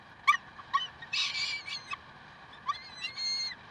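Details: Peregrine falcons at Karlsruhe on 30 May 2010 at 7:27: short sharp chip notes spaced irregularly, one brief harsh burst near the middle, then a thinner, fainter wavering cry toward the end, over a low steady hum.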